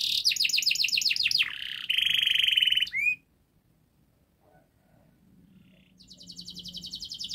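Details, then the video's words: Canary in fast, tight song for training young canaries: a quick trill of falling notes and a bright sustained trill last about three seconds. A near-silent pause follows, then a soft high trill returns. "Kenari Gacor Panjang Speed Rapat Untuk Pancingan kenari Paud Agar Cepat Gacor"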